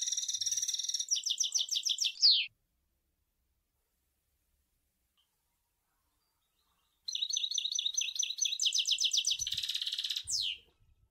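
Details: European goldfinch at Sour El Ghozlane giving two bouts of song split by a long silence. Each bout holds chattering trills and a buzzy stretch and ends with a falling slurred note.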